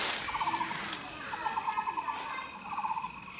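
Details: Taiwan blue magpie (Urocissa caerulea) met on the Cuihu trail in Xizhi, calling in three bursts of rapid, rattling chatter, each a quick string of harsh mid-pitched notes, over a soft outdoor hiss.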